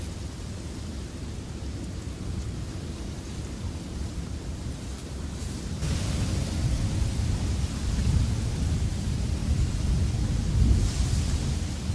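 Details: Low, steady rumbling noise like distant wind or thunder fills the recording, with no animal calls.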